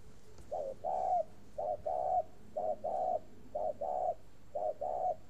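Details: Caged spotted dove from a bird garden in Ba Vì, Hanoi, Vietnam, in a long-winded cooing run: paired low coos, a clipped note then a drawn-out one, steadily repeated about once per second.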